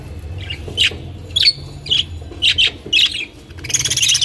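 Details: Budgerigars, the small parrots also called budgies, making a string of short squawky chirps roughly every half second, ending in fast buzzy chatter, over a low hum.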